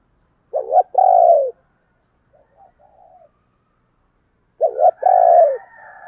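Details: Spotted dove used as a decoy to draw wild doves, in 'thúc' and calling coos: a wavering double note and a long falling croo, soft muttering, then the same phrase repeated with a higher faint tone behind.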